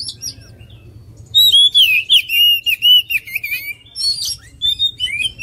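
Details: Oriental magpie-robin singing. A soft opening is followed by a rich, fast sequence of clear whistles, rising and falling slurs and sharp chips, with steady low background hum.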